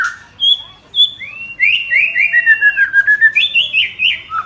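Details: Village white-rumped shama singing busily: a few clear level whistles, then a quick run of repeated slurred whistled notes sliding downward, ending in higher looping phrases.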